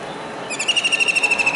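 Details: Close, loud rattling trill from a kingfisher perched on a disc antenna in Surat, Gujarat, on a rainy July 2019 day. The quick, even notes run at a high pitch for about a second.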